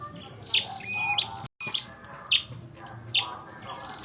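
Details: Red-headed prinia in a fight, giving bright, high chirping notes mixed with short level whistles, uneven bursts about twice a second, one brief dropout near the middle, low murmur underneath.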